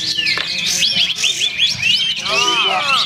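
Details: Olive-winged Bulbul competing in the main class of a songbird contest, where it placed second, in rapid, high, chattering song of quick sliding whistles and trills, with other birds singing close by.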